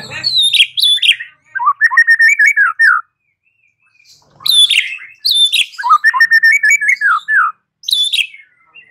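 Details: White-rumped shama song used to make a bird answer and sing: sharp high descending notes followed by chattering warbled runs, repeated twice with short silences between phrases.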